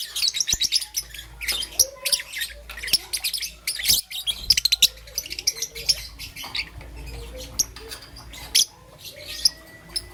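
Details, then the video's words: Peach-faced lovebird, a young green and yellow bird, in the morning: sharp, high chirps and clicks in irregular bursts, with some softer whistled notes and faint background tones. "Relaxation of Lovebird's melodious chirping sound - Young Peach Face Lovebird - Green and Yellow"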